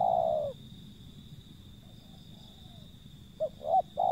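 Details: A long falling coo from a wild zebra dove ends a phrase. After a pause of about three seconds, the next phrase starts with short quick notes and another coo. A faint constant high whine is heard.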